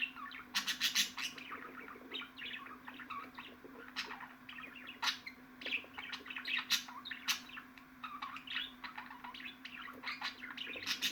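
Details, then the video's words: Budgerigar warbling, dense and restless, mixing scratchy clicks, twittering squeaks and brief whistled notes, with loud peaks scattered throughout and a faint steady hum beneath. "MUHABBET KUŞU SESİ"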